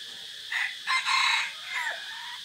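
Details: A decoy red junglefowl crows on a forest outing dated 3 April 2024: four short bursts, the third longest, moderately distant against steady background hiss.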